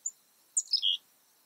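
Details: A chickadee on a quiet afternoon, 3 March 2019 at about 3 PM, gives a quick high tick, then a short run of thin, high notes sliding downward, ending on a slightly lower, longer note.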